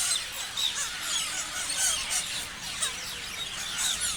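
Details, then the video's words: Parrot flock chirping, with distinct rising and falling whistled squeaks standing out above a background of busy overlapping twitters. "Parrots chirping sounds"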